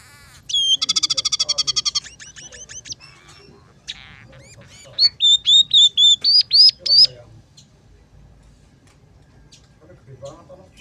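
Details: Lively singing of a scaly-breasted munia, known locally as emprit peking, whose song is said to carry sparrow, red siskin and canary fills: a rapid buzzy trill, assorted short chirps, then about eight loud arched whistles in quick succession before quiet.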